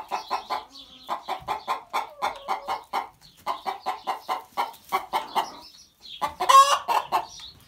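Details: After laying, a Barred Plymouth Rock hen cackles her egg song: rapid runs of sharp, repeated clucks about four per second, a brief pause, then a loud rising squawk and more clucks.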